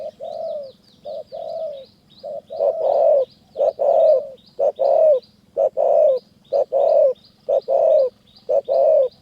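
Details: Spotted dove in Kanchanaburi highland forest, Thailand, answering during decoy trapping: rapid run of low, hollow coos in short and long pulses, nearly once a second, with faint high chirping from small birds above.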